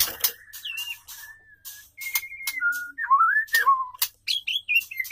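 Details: A female white-rumped shama sings to draw a male, mixing flat held whistles, swooping slurred notes and brief high flourishes, with clicking sounds between phrases.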